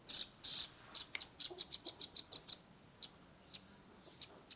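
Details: Young velvet-fronted nuthatch singing a 'tembakan' shooting song, recorded on a Redmi 10 phone: a rapid run of sharp, very high chips about six per second, then scattered single notes.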